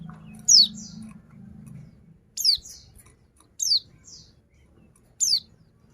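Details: Calling female white-eye used to prompt reluctant males to sing, giving thin, high downward-slurred notes, each trailed by a softer note, four calls at irregular gaps of one to two seconds; a faint low hum during the opening two seconds.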